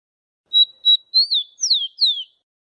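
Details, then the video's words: Rufous-collared sparrow (Zonotrichia capensis) song from Brazil: two short, steady high whistles, then a rising slur and two sweet downslurred whistles, all within two seconds; no other sounds. "Canto de Tico Tico - A forgotten song canto de tico tico"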